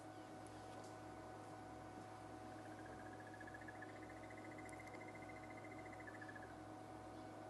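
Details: A crested barbet calls during an afternoon safari drive in Djuma Game Reserve, South Africa, on 4 July 2011, across a drainage line in bush: a faint, fast, even trill of about four seconds, like a distant alarm clock, over low engine hum.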